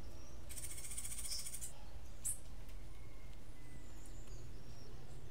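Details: Cuban grassquit delivering its rare martillito-style song, one it learned: a single high, buzzing, finely pulsed trill over a second long, then a brief sharp note, against steady low rumbling noise.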